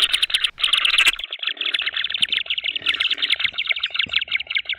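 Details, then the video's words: A male Green wood hoopoe, perhaps the father, sits outside the nest tree and gives a harsh, rapid cackling alarm of rasping notes as people walk down the garden steps to ring its chicks, then flies off; soft footsteps are heard beneath. "Alors que nous descendons les marches du jardin jusqu'à l'arbre, une huppe mâle, peut-être papa, est assise à l'extérieur et appelle l'alarme et se disperse."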